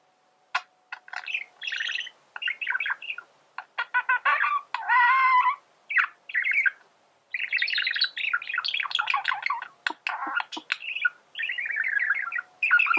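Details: Continuous male budgerigar song: a rambling mix of clicks, squeaky chirps, nasal buzzes and rapid chattering warbles running for over ten seconds with only brief breaks.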